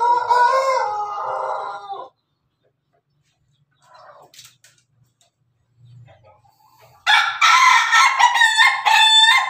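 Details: Pelung chicken, a kept rooster, recorded 17 May 2024: a long two-second harmonic crow, several seconds of near-silence with faint small sounds, then a loud crow chopped into rapid stuttering laughing pulses.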